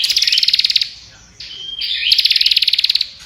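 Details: Prinia singing nonstop: fast trains of sharp, high, even ticking notes, about a second long, separated by a short thin whistled note.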